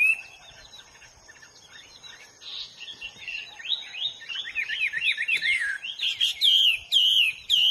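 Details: Hwamei singing in the wild, starting quietly with soft notes, then building into loud, tumbling whistled phrases with sharp upward and downward slurs near the end.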